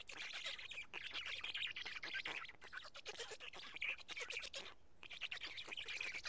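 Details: Dense, raspy, hissing calls from black stork nestlings as a parent feeds them two big fish at Karula, 12:47 on 31 May 2017. The sound runs nearly unbroken, with one short gap.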